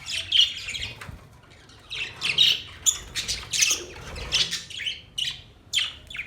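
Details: Pet budgerigars chirping: sharp, scratchy bursts between 2 and 8 thousand cycles, irregular, several bright squawky notes spaced about half a second to a second apart, with quiet low room hum beneath.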